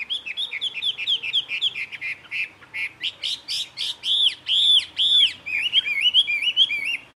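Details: A jungle babbler from Karnataka, India, imitating other birds: a loud, continuous medley of looping whistles, arched downslurred notes and rapid chirps, repeated about twice a second, with no other sounds.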